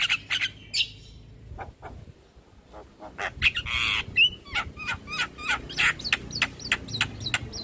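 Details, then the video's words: Black-winged myna song used as a lure to restart stressed birds: clustered harsh squawks and clicks, a short whistle, then rapid broadband chatter notes about three per second. "Terapi Burung Jalak Stres Macet Bunyi Rutin Putarkan Suara Pancingan Jalak Kebo"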